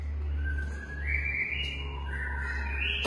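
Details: White-rumped shama, a long-tailed bird in captive breeding, giving long clear whistled notes that climb in steps, over a loud steady low hum.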